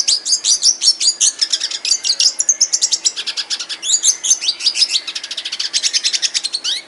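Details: Red siskin in an aviary pours out a steady stream of high chirps and twitters, fast and unbroken, with thin sliding whistles woven through the run.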